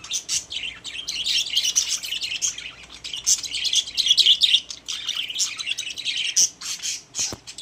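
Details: Pet budgerigars kept together in a cage, chattering continuously with dense bursts of high chirps and warbles, a busy overlapping flock sound with occasional sharper squawks and no other noises.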